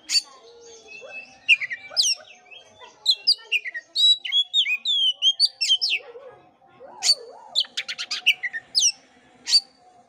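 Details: Song of an Oriental magpie-robin, used to get a sluggish bird singing again: fast sequences of clear slurred whistles, a low hoarse note midway, then a dry rapid rattle and sharp upswept chips.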